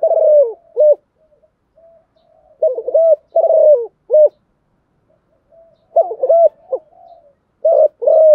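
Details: Decoy spotted dove cooing in the morning to draw other doves in to fight; repeated phrases of low husky coos in groups of two to four, separated by short pauses, with no other sounds.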